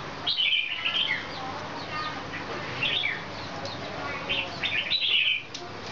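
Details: Excited red-whiskered bulbul performing a wing display delivers short bursts of bright, twittering chirps, a cluster near the start, another midway and a louder one near the end, with background hiss.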